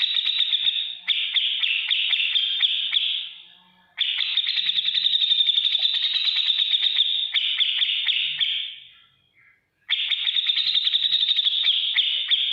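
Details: Grey-cheeked bulbul singing in the energetic ngetik ngipik style for training cage birds, three long trills of rapid ticking notes broken by short silences.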